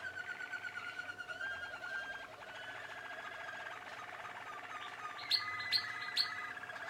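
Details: Young Waterslager canaries, Malinois type, recorded in 2016: bubbling, rolling water-like song with sustained trills, then three sharp high clicks or chips near the end.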